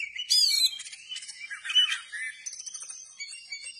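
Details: Oriental magpie-robin singing with its tail opened: a bright high whistled flourish, then rough chattering and scratchy imitative notes running into thin high twitters.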